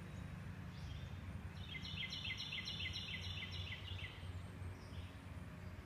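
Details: Blue jay fledglings from a pair that nested in an American beech beside a house, recorded 27 May 2017 while parents fed and guarded a young bird. A rapid series of harsh, buzzy notes runs for about two seconds over steady low rumbling noise.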